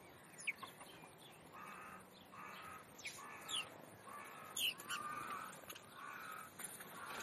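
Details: Semi-wild house sparrow flock, described as a rowdy gang, at the zoo display window in Leipzig, Germany; harsh, buzzy chirps repeated roughly once a second in overlapping bursts over steady background hiss.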